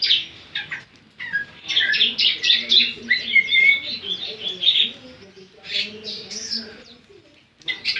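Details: Javan sunbird (ciblek) song: high, rapid chattering notes in dense bursts with a longer whistled phrase, pausing, then resuming with sharp chirps, over faint low voices.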